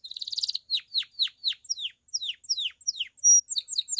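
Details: Pied Belgian canary singing the bell-like campainha style, meant to stimulate other canaries to sing and females to come into condition: a fast buzzy trill, then a run of steep downward-swept notes, a pure whistled tone and clipped chirps.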